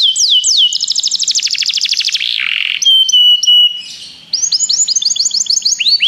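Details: Begie canary, song training: swooping notes lead into a fast rolling trill and a low harsh buzz, then level whistles and a closing series of quick upslurred chirps.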